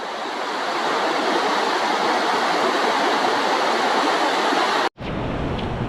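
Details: Loud, constant rushing like a stream or waterfall fills the recording, broken by a brief dropout near the end, and no animal voice stands out.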